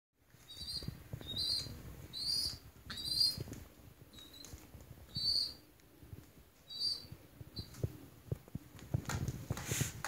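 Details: Baby pigeon giving high, thin squeaky calls in short bursts, about six to eight notes spread over ten seconds, with soft scuffling and rustling low in the background.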